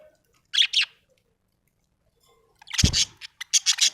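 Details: Happy pet budgerigar chirping: two quick high bright chirps, a pause, then a low thump followed by a rapid run of sharp clipped chirps.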